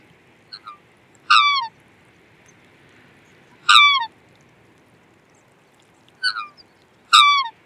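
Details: Black swan giving short, bugling, downward-slurred calls with a rich, ringing tone. Two loud calls stand out, each with a fainter, shorter call before it, spread over several seconds against a quiet background.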